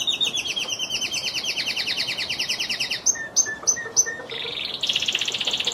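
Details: Lizard canary song opens with a long, even, rattling trill in two parallel bands, then a few separate clipped notes and a dense buzzy trill to finish.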